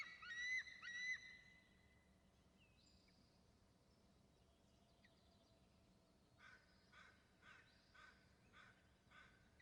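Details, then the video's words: An adult eagle perched on an upper branch near its nest gives two soft, high squeaky notes to its eaglets, then a run of sharp, chittering high calls repeated about twice a second. "Makes soft noise to eaglets . Then calls"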